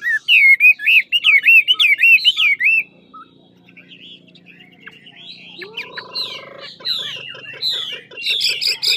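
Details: Lạng Sơn old-forest Chinese hwamei, ngũ trường style, in supple duel singing: a fast run of bright, repeated looping whistles about three seconds long, then a quiet gap and fainter varied phrases returning louder near the end.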